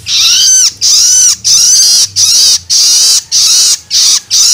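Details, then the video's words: Begging loloan of a young long-tailed shrike, played to stimulate adult birds: repeated grating, hissy screeches of similar length with quick gaps, over a faint low background hum. "Merangsang Burung Cendet Dewasa Dengan Suara Loloan Anakan Cendet"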